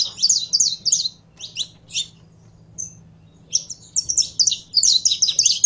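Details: Saffron finch (canário da terra) singing in two vigorous bursts of rapid, high chirping notes separated by a near-silent pause with a single whistle, faint hum throughout.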